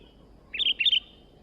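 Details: Sooty-headed bulbul, newly obtained and singing vigorously, delivers a fast, bubbling phrase of about five clear notes that step up and down, all within half a second, over a quiet room background.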